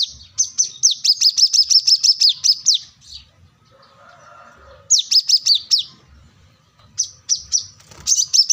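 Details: Plain-throated sunbird (kolibri kelapa, wiceh, manggar), an energetic singer looking for a rival: bursts of rapid high descending chips in runs of several seconds, separated by pauses with a faint low murmur.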